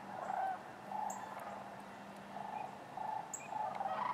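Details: Sandhill cranes wintering at Wheeler Wildlife Refuge in Decatur on January 12, 2013, among other waterfowl: a steady chorus of rolling, purring calls from many cranes overlapping, swelling and fading every second or so.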